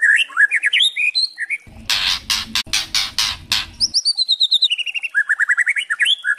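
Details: Young white-rumped shama singing quick, varied whistled phrases with rising and falling slurs, broken mid-way by a run of harsh, crackling "kretekan" bursts; used as a lure to provoke other shamas into singing.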